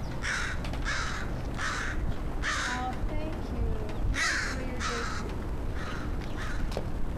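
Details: A crow giving greeting calls, recorded 13 September 2013. Harsh, rasping caws repeat roughly every second, seven in all, with a person speaking softly nearby and steady low background noise.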